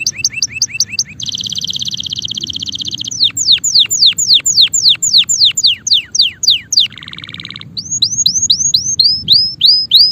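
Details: Male canary singing a varied, loud song: quick repeated chips, a steady buzzy trill, a run of descending whistled sweeps, a low rattling roll, then rising looped notes repeated rapidly.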